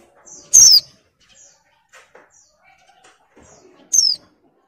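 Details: Female oriental white-eye in breeding mood, calling to tempt a male. Two piercing, high, downslurred notes about three seconds apart, with soft faint chips between them.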